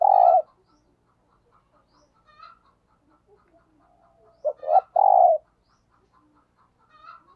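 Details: Spotted dove decoy giving thúc gù lure coos: an isolated low coo, a quiet gap with faint soft ticks, then a quick stuttered pair leading into a longer hollow coo.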